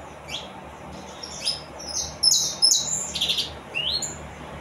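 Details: Saffron finch singing: a lively phrase of rapid high chirps, bright slurred whistles and a short buzzy burst, delivered about two and a half notes per second.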